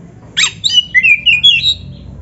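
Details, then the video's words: Short Oriental magpie-robin phrase for training captive birds: one harsh scratchy note, then a quick series of sweet rising and falling whistles. "PANCINGAN SUARA KACER GACOR untuk latihan‼️100% ampuh bikin KACER NARUNG BUKA EKOR DIGANTANGAN"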